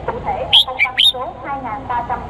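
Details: Male red-whiskered bulbul, Cambodian bird, calling for a female as a lure call: a single quick phrase of three sharp whistled notes, followed by soft babbling voices and low background noise.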